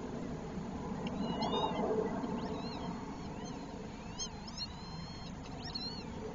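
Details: Northern lapwing pair, distressed about their chick, chasing it away from herons: a string of wheezy, arched calls sliding up and down, several in quick succession, over a steady low rumble of background noise.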